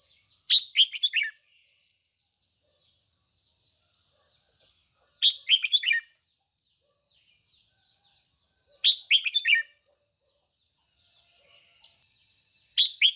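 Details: Decoy red-whiskered bulbul in morning 'ché' song for training other birds: four near-identical phrases of three or four fast, bubbling warbled notes, repeated about every four seconds, over a constant thin high-pitched whine.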